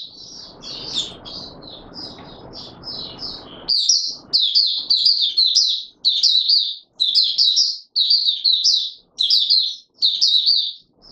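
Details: Oriental white-eye singing in courtship mode; soft high twitters over background noise, then loud bursts of rapid warbling phrases about once a second, each separated by brief silences.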